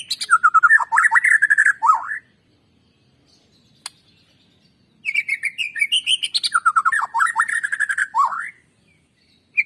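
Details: White-rumped shama in full song as a lure recording to spur other shamas: dense swooping warbled phrases, a silence broken by one click, then rising rapid whistles leading into looping, tumbling notes.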